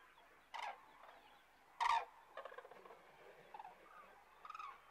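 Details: Resting flock of common cranes south of Kastlösa, Öland, Sweden, in September 2013, giving loud, rolling trumpeted calls in scattered bursts, one strong burst and several softer, more distant ones.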